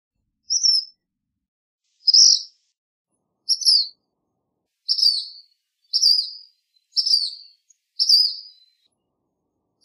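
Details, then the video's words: Black phoebe chirping steadily: eight high, sharp notes that come closer together and grow slightly buzzier toward the end, roughly once a second, with no background noise. "Black Phoebe Song! Black Phoebe Call! Black Phoebe Sound! - Mosquero Negro Canto -Sayornis Nigricans"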